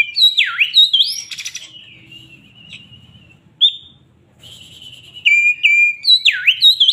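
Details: An excited poci Oriental magpie-robin sings: deep swooping whistles and upslurs, a harsh buzzy burst, a drawn-out wavering whistle, a brief quiet gap, then renewed rapid whistled phrases with swoops.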